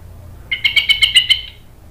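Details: An orange-headed thrush gives a brief burst of seven quick, evenly spaced whistled notes on a level pitch, lasting about a second. The recording is a lure to coax other thrushes into song.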